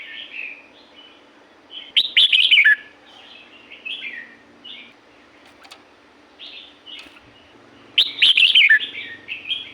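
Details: Red-whiskered bulbul from La-u forest giving two loud bursts of quick, slurred, chattering whistles about six seconds apart, with scattered softer warbled notes between and a faint low hum.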